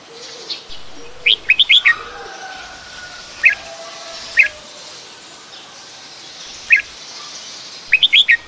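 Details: Adult red-whiskered bulbul, Pycnonotus jocosus, recorded in Ubon Ratchathani, Thailand, on 16 December 2020; short bright chirpy phrases of three to four quick up-and-down notes, with single sharp notes between, spaced a few seconds apart over soft background hiss.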